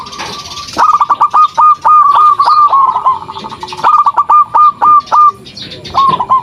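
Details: Zebra dove, local type, calling steadily as a lure for other doves: long runs of rapid, evenly repeated mid-pitched coo notes forming trilling series, with scratchy background noise at the start.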